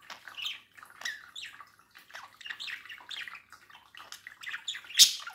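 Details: Budgerigar kept as a pet, babbling at a mirror: a rolling, scratchy warble of rapid chirps and squeaks, ending with a loud shrill burst.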